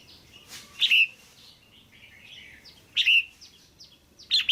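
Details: Caged female red-whiskered bulbul pairing call, meant to stimulate the male: three bright chirps about every two seconds with low warbled notes in between.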